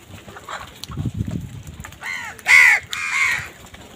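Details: During a fight with wild birds over food, crows utter three harsh, nasal caws in quick succession, the middle one loudest, after a stretch of quiet low background rumble.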